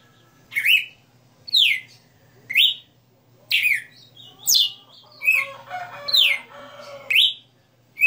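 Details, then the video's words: Red-cowled cardinal, known locally as galo de campina, a caged bird singing a 60-note song: loud whistled phrases, each a quick rising-then-falling sweep, repeated about once a second with slurred accents between. "Galo de Campina 60 NOTAS Cantando Ao vivo"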